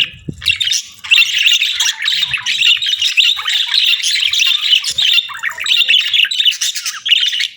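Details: Budgerigars chirp in an unbroken, loud stream of warbling chatter and squeaky notes after a brief thump at the start.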